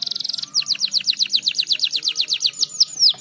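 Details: Canary singing to stimulate other birds into song: a quick buzzy trill opens, followed by a steady series of bright, downward-sweeping whistled notes at about four per second, finishing with louder, sharper slurs.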